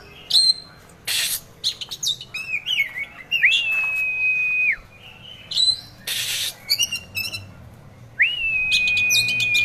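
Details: Oriental magpie-robin kept caged as a contest prospect, mixing sharp high chirps and rattles with long flat whistles that fall away at the end, the last whistle held for over a second.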